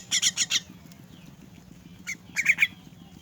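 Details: Orphaned, crippled myna being hand-fed, giving short bursts of harsh rasping calls, four quick notes then a gap, then another brief harsh burst, over a steady low hum.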